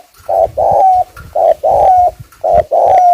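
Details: Caged spotted dove used as a lure, delivering rapid 'thúc gù' coos: three quick pairs of deep hollow notes, each short hoot followed by a longer one that lifts at the end, over faint low rumble.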